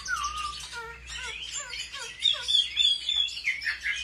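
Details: Chinese hwamei in competitive song for home training: a string of clear whistled notes stepping downward in pitch, followed by bright, rapid warbling and ringing high whistles.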